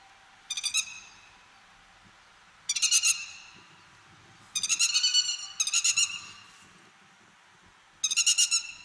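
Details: Grey-headed lapwing in Japan's farmland, grassland or waterside habitat, calling in loud grating bursts of rapid rattled notes, each burst under a second, separated by pauses of one to two seconds, over a faint low rumble.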